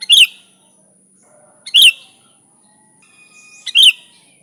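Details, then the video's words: Energetic sooty-headed bulbul (kutilang) song used to attract bulbuls: three crisp chattering phrases about two seconds apart. A faint thin whistle from another bird sounds near the end, over a steady high hiss. "Suara Burung Kutilang Gacor ASLI Tanpa isian, Ampuh untuk Pikat bikin kutilang Ribut gacor"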